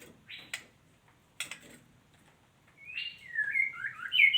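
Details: Female white-rumped shama: a few short clicks and rasps early on, then a longer sequence of slurred whistles that rise and fall, growing louder toward the end.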